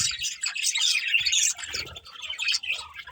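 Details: Chattering budgerigars in short bursts of bright, scratchy chirps and warbles, busiest in the first half and fading slightly later.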